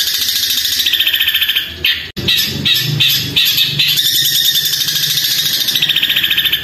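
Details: Long-tailed shrike (Lanius schach) in long, loud mimicry song: an unbroken stream of high, scratchy chatter and sparrow-like squabbling chirps, with a brief pause near two seconds and a faint low hum behind.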